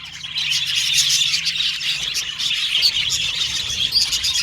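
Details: Budgerigars chirping as contact calls, dense chatter of many overlapping high, fast chirps and short warbles, steady and continuous throughout, with a brief quieter start.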